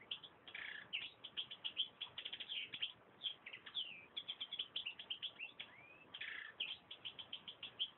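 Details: European goldfinch in continuous song, a fast, jangling stream of chirps, trills and slurred twittering notes with hardly a break, over faint hiss on a muffled recording.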